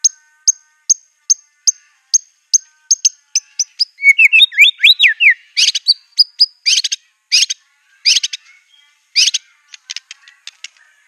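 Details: White-rumped shama in furious song laced with canary, cililin and cungkok mimicry; a steady string of high clipped notes about two per second speeds up into looping slurred whistles, then scratchy trilled bursts.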